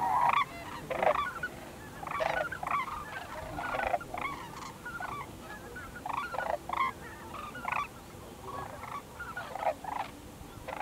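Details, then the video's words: Flocks of White-naped cranes (Antigone vipio) feeding in fields by Junam Reservoir, South Korea, and flying overhead give loud, trumpeting honks in irregular bursts, several birds overlapping, over a steady low hum. "White-naped Crane Calls"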